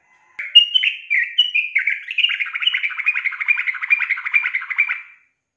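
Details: Sooty-headed bulbul female, used as a lure to make a male sing; a few whistled slurred notes opening into a fast, even, bubbling trill lasting about three seconds.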